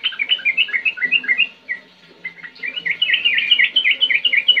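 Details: Sooty-headed bulbul singing in the lively 'ngetir ngerol' style, used to prompt young birds to sing: rapid, bubbly, whistled chirps in quick repeated phrases, with a short pause just before the middle.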